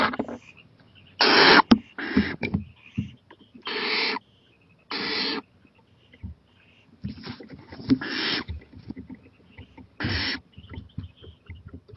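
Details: Late-night owl, 11:26 pm on 23 April 2018, getting daring on a porch near a playground; scattered harsh hissing bursts mixed with knocks, scrapes and shuffling noises.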